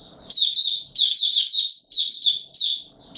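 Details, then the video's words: White-eye (Mata Puteh Raja) singing on 20 March 2022 in warm humid weather: quick, high, sweet chirping runs in short bursts, with quiet low rustles in the pauses. "Mata Puteh Raja Video 1 buka sing warm humid weather"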